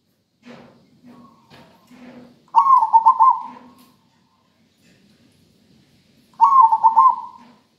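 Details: Singing local zebra dove with a rhythmic, melodious voice: two trilling coo phrases about four seconds apart, each a quick warbled roll of notes, with faint soft low sounds scattered before the first.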